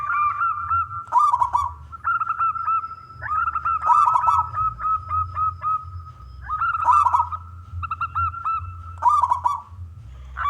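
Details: Local male zebra dove song used to coax other doves to sing, several rolling, bubbly coo phrases spaced a second or two apart over a sustained even tone and faint low rumble.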